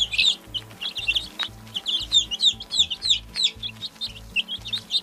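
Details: Continuous chorus of young chickens peeping: shrill, downward-sweeping notes tumbling almost nonstop, about three per second, with gentle music in the background.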